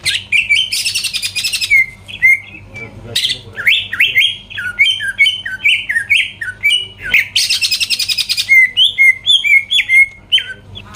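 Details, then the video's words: Greater green leafbird song used to provoke rivals into singing: rapid run of sharp, varied whistled notes, many dipping and rising, broken by two harsh, rasping buzzy bursts. "PANCINGAN CUCAK IJO GACOR BUKA PARUH BIKIN LAWAN CEPAT ON LANGSUNG EMOSI DENGAR SUARA INI"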